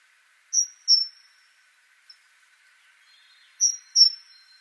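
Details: Great tit (Parus major): two sharp, high whistled notes with a thin falling tail, given as a pair and repeated about three seconds later, over a faint steady background hiss.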